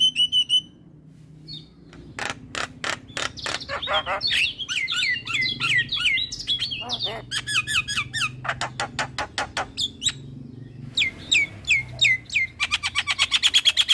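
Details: Captive male Javan myna in full, energetic song while nodding its head: long bursts of harsh rattling clicks mixed with squeaky, rapidly descending whistled notes, ending in a fast rhythmic rattle of sharp strokes.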